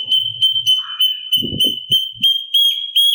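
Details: Sooty-capped babbler song used to train other songbirds: an even run of clear, high piping notes, about three per second, with low rustling and knocking sounds underneath.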